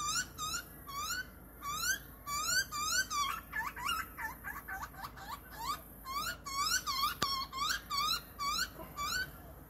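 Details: Wild young butcherbird in Australia begging with repeated squeaky, rising whistled notes, one or two a second, and a brief burst of rapid chattering squeaks while the parent feeds it.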